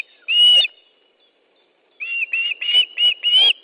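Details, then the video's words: Osprey at its nest in Estonia, 10 July 2013 at 13.20, as fish is delivered: one loud whistled note, a silence, then a quick run of five similar piping whistles. "Osprey nest, Estonia 10th July 2013 13.20 Fish delivery"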